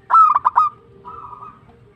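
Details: Zebra dove of a local type in full song. One loud burst of four clipped, ringing coos is followed by a lower, softer purring trill that fades out.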